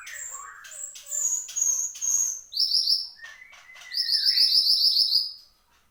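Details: A lively song from Horsfield's babbler: long pure whistles held at a high pitch, low slurred notes, then two bursts of rapid, shrill, buzzy trilling.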